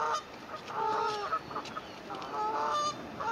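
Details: Swans with cygnets on their first day, recorded by phone on 9 May 2024; nasal, harmonic honking notes in short bursts, several overlapping callers, over a soft hiss.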